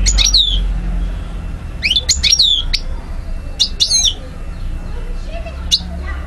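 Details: European goldfinch in Algeria, 2012, giving sparse song phrases: brief clusters of high chattering notes ending in falling whistles, separated by pauses, over a noticeable low rumble.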